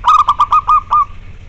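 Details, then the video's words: Local wild-type zebra dove singing, meant to train a dove that is reluctant to sing: seven quick cooing notes, the last ones drawn out and more widely spaced, ending in a fading tail. "Suara lokal alam melatih mental dan untuk terapi bagi perkutut yang malas bunyi"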